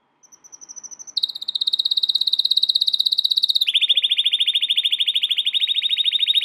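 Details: Training song from an American Singer canary: quick high notes speed up into a loud buzzy rolling trill, then drop to a slightly lower, even, fast-pulsed tour.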